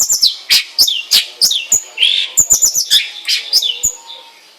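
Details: Long-tailed shrike producing harsh, scratchy notes mixed with high chirps and squeaks in an irregular, busy sequence of about three notes a second.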